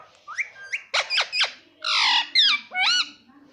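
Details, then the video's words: Pet parrot that talks and says "papa": rapid harsh squawks followed by rich, ringing calls with curling upward inflections, delivered in quick succession. "Papa Bolane Wala Tota _ Mitthu Papa Papa Bol Raha Hai"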